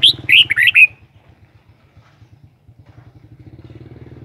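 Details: Kept red-whiskered bulbul giving one brief, bright warbled phrase of four or five quick fluty notes in the first second. A low, steady engine-like pulsing hum follows and continues to the end.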